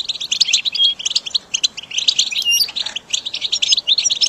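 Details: Caged-bird training recording of goldfinch singing: fast jingling chirps and trills packed closely together, with a few clear whistled notes near the middle, sustained without real pause.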